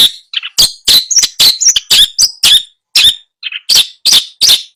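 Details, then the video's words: Tutor song of a long-tailed shrike, meant to restart singing in a silent bird: loud, rapid harsh chatter interleaved with brief whistled slurs and low warbles, broken by two short pauses. "Masteran Cendet Males bunyi"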